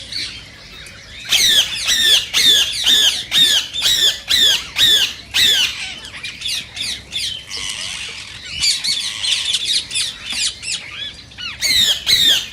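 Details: Rose-ringed parakeet, a sound said to stimulate other parakeets to sing and mate: harsh, ringing screeches in rapid bursts of about two per second, then a quieter chattering stretch before the loud screeching returns.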